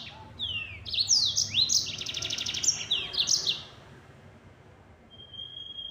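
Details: Fast nembak song of a yellow-fronted canary: high downslurred whistles and a dense buzzy trill for about three seconds, then near quiet with one thin, steady high whistle and soft background hum.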